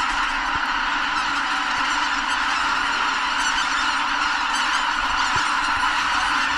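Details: A large flock of greater white-fronted geese at Kabukuri-numa on New Year's Day 2022, just before sunrise, takes off all at once, apparently startled by something, in a dense, continuous chorus of high, yelping honks.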